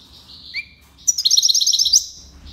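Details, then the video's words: European goldfinch (maknine) singing tiwawati style: a thin sliding whistle, then a fast, sparkling trill of high repeated notes lasting nearly a second. "مقنين(حسون) تيواواطي ليباساد"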